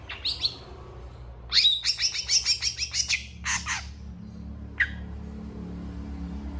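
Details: Long-tailed shrike singing energetically with long song bursts, apparently answering another shrike: a burst of rapid, harsh chattering notes, about a dozen in under two seconds, then a few scratchy calls and a lone sharp note, over a low hum.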